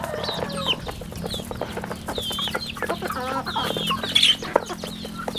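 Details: Chicks kept at home on a rural chicken farm call with piercing, descending peeps, many overlapping. A soft low hum and tapping sounds sit beneath them.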